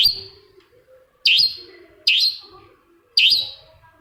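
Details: Long-tailed Shrike (cendet) lure sound meant to set off a silent shrike: loud, sharp, high chip notes, each with a short fading tail, repeated four times at irregular gaps in a quiet background.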